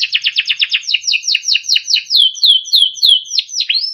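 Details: Timbrado canary singing for training: rapid series of descending chirps that gradually slows into spaced, slurred downward whistles, ending with a short rising note.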